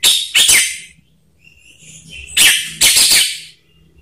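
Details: Orange-headed thrush lure recording meant to trigger singing: two pairs of loud, harsh, broadband rasping notes with a quiet gap between them, a faint thin whistle in the pause.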